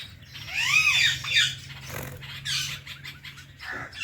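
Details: Indian ringneck parrot kept as a pet alongside a blue ringneck: sweeping arched squawks rising and falling sharply, a brief burst near the middle, then more rasping calls, with faint background hum.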